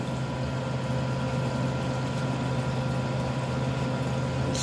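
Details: A constant mechanical hum with steady low tones and a faint click at the end, with no animal calls.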